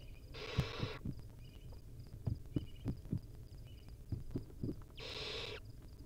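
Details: Owlet of a wild barn owl at the nest, swallowing a whole mouse: a harsh breathy hiss, then a series of soft thumps and shuffling knocks, then a second drawn-out rasping hiss.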